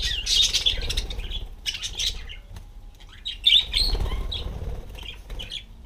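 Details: Pet budgerigar parakeets perched on a self-made rotating bicycle wheel give sharp, chattering chirps and squawks in irregular bursts, with wing flutters and low rumbling handling noise underneath.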